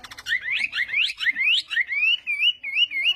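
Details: A Chinese hwamei singing in morning voice practice for contests, opening with rapid clicks and then pouring out wavering, warbled whistles that settle into an evenly repeated rolling phrase.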